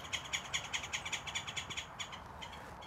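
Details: Several Green Jays at a volunteer-stocked bird feeder in Texas brushland, one described as hungry: a fast run of harsh, rasping chatter notes, about five per second for nearly two seconds, then a few scattered notes.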